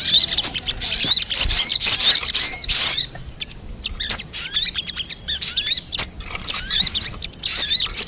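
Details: Ruby-cheeked sunbird nestlings being raised produce a dense burst of shrill overlapping chirps, then scattered thin squeaks and clustered high twittering notes.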